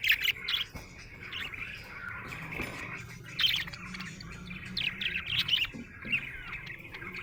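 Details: Happy pet budgerigar warbling continuously, a chattering stream broken by clusters of sharp high chirps at the start and again between about three and six seconds.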